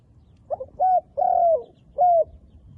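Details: Wild dove with black-spotted feathers: soft short notes, then two drawn-out hollow coos and a final shorter coo, low-pitched and smooth, in a quiet setting.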